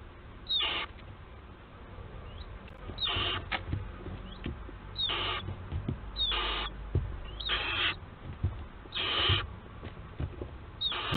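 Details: Barn owls of a nesting family at Théding, France, 4 July 2022, seen on a nest webcam: harsh, breathy hissing screeches repeated about every one and a half to two seconds, seven bursts, over a low rumbling background.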